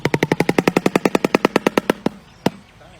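Shoebill clattering its bill: about twenty hard, hollow knocks in a fast machine-gun rattle over two seconds, then one last knock after a pause.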